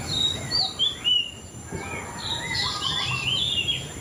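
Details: White-rumped shama singing clear whistled notes and slides. The phrases rise and fall, ending in a busier, brighter flourish over low hiss.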